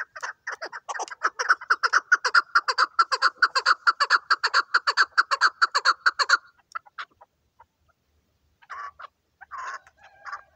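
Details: Hunting chukar partridge delivers a quick, regular run of raspy chuck notes for about six seconds, then falls quiet before a few scattered softer clucks near the end.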